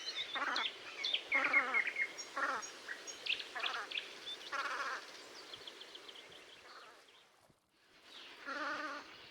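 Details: Velvet scoter flock at Liepāja, Latvia, March 2024: repeated nasal, wavering calls mixed with high chirping notes from other birds, a brief lull, then one more strong call near the end.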